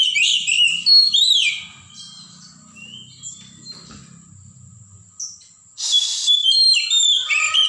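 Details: Oriental magpie-robin of the wild forest, singing loud whistled and trilled phrases. A lull with low rustling background follows, then a harsh noisy burst, then more varied whistled song.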